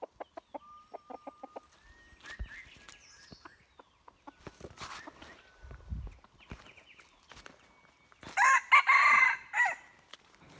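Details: Wild red junglefowl crow used to lure wild junglefowl, recorded 16 February 2024: a run of short repeated clucks opens, then a loud, harsh, drawn-out crow near the end, with small birds chirping in the background.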